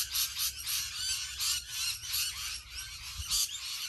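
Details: A huge flock of rainbow lorikeets in Australia fills the air with a dense, unbroken chorus of shrill, harsh screeches that swell in bursts, over a faint low rumble.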